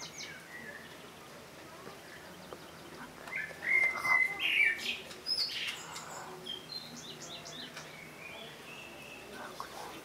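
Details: After several quiet seconds, a common blackbird delivers one rich fluted warble followed by brief high squeaky notes, with faint distant chirps later.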